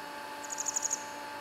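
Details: Grey wagtail on a river in inland northern Harima, central Hyogo, Japan, on a sunny spring day, gives a quick burst of six or seven very high, thin, sharp notes, its typical shrill, easily recognised call, over a steady low hum.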